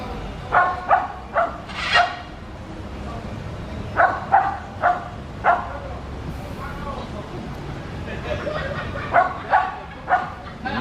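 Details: Hidden among branches, a macaw calls in rough bursts of harsh, barking squawks, two to four at a time separated by brief pauses, about fifteen calls in all, with faint background noise.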